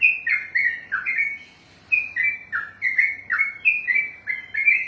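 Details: Sooty-headed bulbul (trucukan), a kept bird trained for singing contests, in long ropelan song: loud whistled phrases, each a bright note dipping downward, tumbling in quick succession with one short pause midway.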